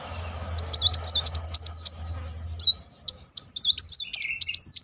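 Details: Van Hasselt's sunbird giving a rapid-fire 'nembak beruntun' song, used as a lure to stir other sunbirds to sing: fast runs of high, wavy, looping whistled notes in two bursts, over a low steady hum.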